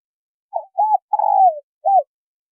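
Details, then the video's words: Female spotted dove calling to stimulate a male. A single clean phrase: two short coos, one long quavering coo descending in pitch, and a final short coo, with no other sounds. "Tiếng chim cu gáy mái kích trống gáy gù"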